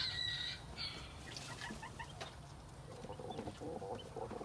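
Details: Quails recorded in spring 2021: an opening pair of short, clear, harmonic calls, then scattered soft chirps and quiet clucking notes over a steady low rumble and background noise.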